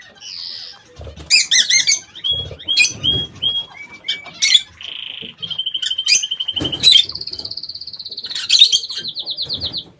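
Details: Aviary lovebirds chattering: bursts of sharp, shrill chirps mixed with short whistled notes and long, steady, buzzy trills held for a second or more, with faint rustling underneath.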